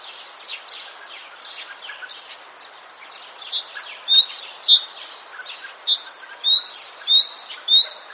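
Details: Great tit (Parus major) in Cyprus singing bright, high two-note phrases repeated quickly in a steady run, over busy background chatter of other small birds.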